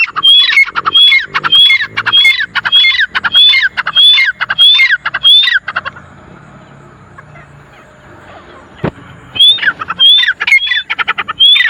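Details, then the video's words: Four wild grey francolins (jangli teetar) giving loud, rhythmic harsh calls with rising whistled elements, about one phrase every half second for six seconds, then a quieter pause with a faint click before the calling resumes. "Wild Teetar Calling Sound HD | 4 Jangli Teetar Ki Aawaz | Grey Francolin Sound Effect"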